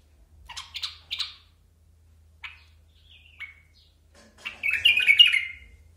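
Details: Basra bulbul giving a few short, scratchy chirps, then a brief loud bubbling phrase of quick warbled notes that rise and fall near the end; a faint low hum runs underneath.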